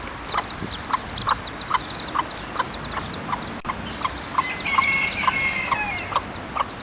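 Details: Free-living hen with her newly hatched chicks in a park in Torrevieja: soft, steady clucks about twice a second, high thin chick peeps throughout, and a brief whistled note from another bird midway.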